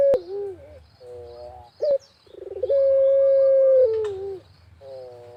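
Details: Actively calling Barbary dove recorded in a rural village, used as a lure for other doves, pelung style. Gives wavering falling notes, a brief clipped note, then a pulsing trill into a sustained level coo ending in a downward slur, with faint distant chirping.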